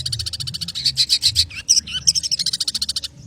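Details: Long-tailed shrike singing the speedy 'konslet' style: a rapid even rattle of high chips, then a few squealing, twisting notes, then the quick rattle again.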